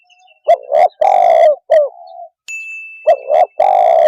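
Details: Spotted dove calling to quickly rouse other birds: two loud, harsh coo phrases, short note, long rolling coo, clipped tail, separated by a softer drawn-out note and a brief steady high tone.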